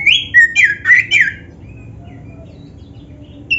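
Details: Oriental magpie-robin, black-breasted form, giving a short burst of four or five loud twisting whistled notes over about a second, followed by near silence with faint distant whistles and a final high note.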